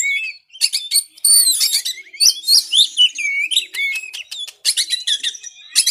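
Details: White-rumped shama training song meant to get reluctant pet birds singing: fast, varied whistles, sharp clicks and slurred notes delivered in dense, energetic bursts with few gaps.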